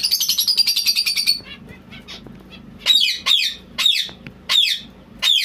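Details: A white zebra finch gives a fast, buzzy chatter, then a string of loud, nasal, toy-trumpet calls about every half second.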